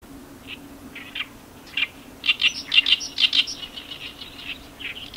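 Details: Oriental reed warblers recorded on 18 May 2021 in Iwakuni, Hiroshima; harsh, chattering phrases of repeated grating notes building in loudness midway, with a steady low hum beneath.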